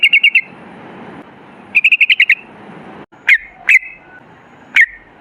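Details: Sooty-headed bulbul, lively 'ropel' singing meant to provoke other bulbuls into song: two quick bursts of rapid chattering notes, then three separate sharp, down-slurred chirps spaced about half a second to a second apart.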